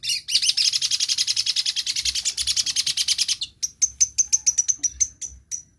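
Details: Long-tailed shrike, a bird that imitates many other birds' voices, used as a lure to prompt silent birds to sing: a dense, fast, buzzy chatter of rapid notes for three seconds, then a string of sharp, high, clipped chirps at quick intervals.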